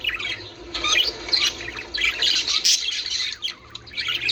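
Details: Budgies calling, a sound for stimulating mating: scratchy squawks and chirps in uneven bursts, with a quieter dip before a final surge of chatter.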